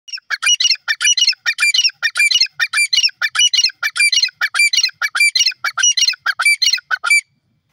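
Francolin giving loud, harsh, grating notes in rapid bursts, repeated almost without pause for about seven seconds, then stopping abruptly; nothing else is heard.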